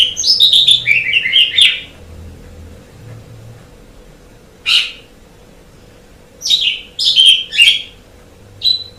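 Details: Asian pied starling master song for training songbirds: a burst of rapid descending whistled chatter, then several seconds of near silence broken by single loud notes and a short chattering cluster.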